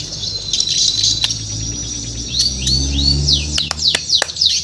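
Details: Morning song of a murai batu, the white-rumped shama, from Borneo: soft arched high notes given in quick succession, faint against a constant low humming background.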